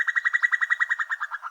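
Female Common Cuckoo giving a fast bubbling chuckle, about a dozen liquid notes a second, slightly falling and fading over under two seconds.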